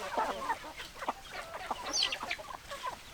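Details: Hens clucking close by: rapid, overlapping short clucks and a few higher squeaky notes from several chickens.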